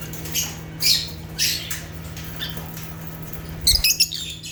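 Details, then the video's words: Natural chirping of African lovebirds (Agapornis): a few scratchy, high squeaks spaced about half a second apart, then a quick flurry of sharp chirps near the end, over a faint low hum. "Rare African Lovebirds (Agapornis) | Natural Chirping Sounds"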